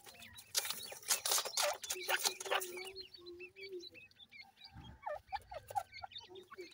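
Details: Young black francolins chirp in rapid, high, squeaky notes that rise and fall, clustered in the second half, after an opening of scuffling and clattering noises.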